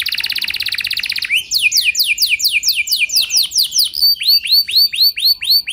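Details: Canary song used as a lure to get other canaries singing: a fast buzzy trill of high repeated notes, then sweeping downward slurs repeated several times a second, ending in a series of looping upturned whistles.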